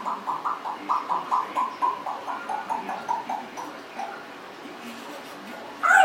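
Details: Congo African grey parrot, a 1.5-year-old indoor pet, produces a rapid series of soft clucking notes, around fifteen evenly spaced, fading out, then a brief sharp squeak.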